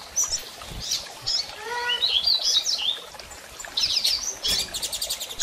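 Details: Female double-collared seedeater calling insistently, used to stimulate a male to start singing after moult; short high chirps and sharp chips in scattered bursts, with one lower buzzy harmonic note partway through.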